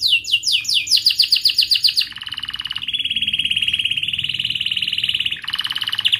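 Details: Canary song used to coach young canaries learning to sing: a rapid series of sharp, descending chirped notes, then a long, steady, buzzy rolling trill with a brief higher burst near the end.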